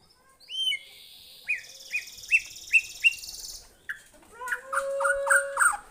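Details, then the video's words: White-rumped shama answering a lure recording, with sweeping whistles, a series of five sharp rising-falling notes about half a second apart, then dense overlapping chattering phrases. "Kicauannya gak ada remnya !!! Tonton sampai akhir video Murai Batu Gacor ini"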